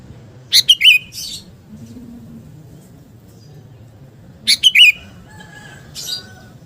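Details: Sooty-headed bulbul, a 'garuda' type singing actively, played to build fighting spirit in other birds: two short bubbly phrases of three quick notes each, about four seconds apart, with a faint low hum behind.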